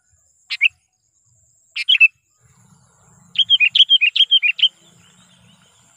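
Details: Sooty-headed bulbul, a trained lure bird calling to provoke wild rivals: two short bubbly chirp pairs, then a quick burst of about nine bright, warbled notes, all clear against near silence.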